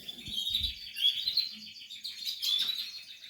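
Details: Portuguese harlequin canary during nest building, singing a continuous high warbling trill with rapid rolling notes, plus faint low knocks in the background.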